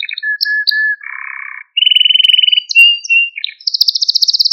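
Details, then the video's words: Maltese canary male in song, meant to rouse other canaries and train young ones. Whistled notes lead into a low buzzy roll, a rapid even trill, level pure tones, and a closing high, fast rattle. "Malta Kanarya Ötüşü Ve Erkek Kanarya Sesi"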